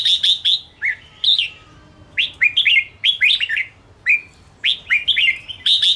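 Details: Provocative fighting song of a Ché red-whiskered bulbul, used to rile up rival birds. Loud, lively whistled phrases of quick up-and-down notes repeat almost continuously, broken by brief gaps and a few single slurred notes.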